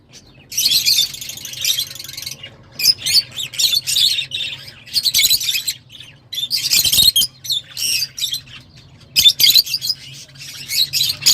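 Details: Shrill, scratchy lovebird chatter: dense bursts of high squeaky chirps lasting one to two seconds, broken by short silences, over a steady low electrical hum.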